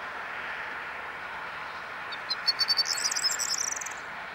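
A corn bunting gives a brief, high jangle: a few ticking notes that speed up into a dry, glassy jingle, over steady wind-like rushing noise.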